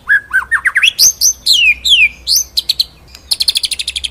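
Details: White-rumped shama in full ngerol nembak masteran song: a rising ladder of whistled notes, then loud, clear, downward-sweeping whistles, followed by a brief pause and a rapid series of high, sharp ticks.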